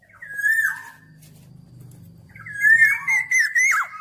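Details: Black-naped oriole: a short fluty whistle falling at the end, a quiet gap with a low murmur, then a longer, slightly harsh, drawn-out whistled note that wavers before dropping.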